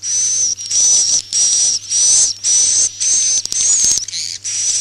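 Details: Swiftlets' roosting call, used as a lure: steady, sizzling high buzzes repeated roughly twice a second, broken by a couple of sharp clicks near the end. A low hum runs throughout.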